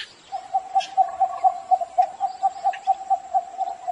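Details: Cinnamon bittern calling in the morning: a steady run of short, even, mid-pitched notes, about four per second, with a faint high hiss behind.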